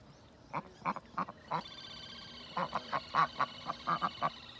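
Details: Domestic duck giving two runs of short nasal quacks, four spaced notes then a faster burst of about ten, each call brief and clipped, with a faint high bird chirp behind.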